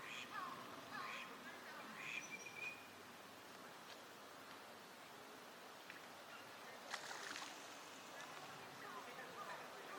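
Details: Wintering Eurasian wigeon among other ducks at a park pond in Chiba, Japan, in March 2025 give a few clear, rising-then-falling whistles early on and another burst near the end, over steady splashing water and background noise.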